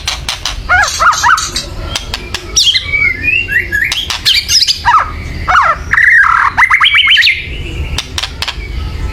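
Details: Agitated white-rumped shama chattering to set off other birds' singing: harsh clicks and squawks alternate with short warbled whistles, louder toward the end.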